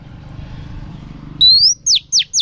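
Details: Female oriental magpie-robin drumming song: after a low background hum, a bright rising whistle breaks in, followed by three sharp falling notes spaced about a quarter second apart.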